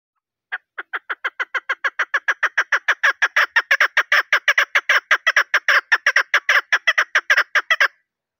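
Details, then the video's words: A female chukar partridge, recorded as a hunting call to which males respond, gives a long run of dry, clucking chuk notes, four or five a second, steady in pitch and slightly quickening; no other sounds intrude. "Mada chakor ki awaz | female Partridge voice"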